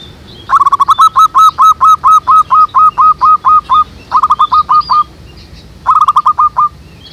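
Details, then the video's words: Zebra dove calling from a jackfruit tree behind a house, its voice used as a lure for trapping doves: a long run of about fourteen quick staccato coo notes, then two shorter bursts, with faint high chirps of other birds. "PIKAT BURUNG PERKUTUT DI POHON NANGKA BELAKANG RUMAH ZEBRA DOVE TRAPP"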